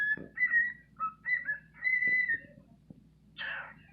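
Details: A male bird with a little hop gives courtship song meant to attract females: clear whistled notes, some level and some sliding, at mid-high pitch, ending in a brief harsh burst; faint indoor background.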